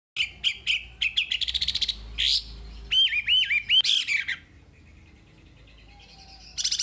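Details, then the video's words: Wambi singing a tutor recording: rapid repeated high chirps, then a series of looping, upslurred whistled notes, a quiet pause, and a final burst of high chirps. "Masteran Wambi paling istimewa full materi"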